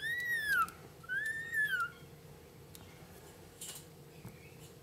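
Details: A lorikeet, apparently a pet, makes two clear, arched whistles that rise then fall, followed by quiet faint rustling over a steady low hum.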